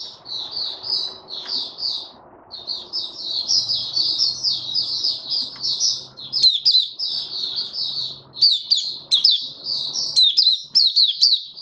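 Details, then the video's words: Opening 'buka' song of a male white-eye: a continuous stream of high, thin, warbling chirps, closely run together and rising in intensity over the final seconds, with faint low hum underneath. "Mata Puteh Raja Stablizing his form buka sing"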